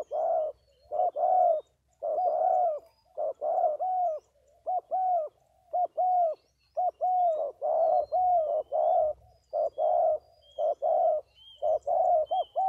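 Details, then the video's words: Spotted dove calling rapidly in a steady run of short, husky coos, mostly in twos and threes, for over twelve seconds, with faint thin whistles from another bird in the background. "Cu gáy 67"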